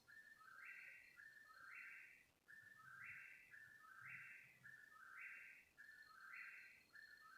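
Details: Bird heard at 3 in the morning, calling for about thirty minutes: steady series of paired notes, a higher rasping part sliding into a lower one, about fifty-four per minute, with a faint thin high tone in the background.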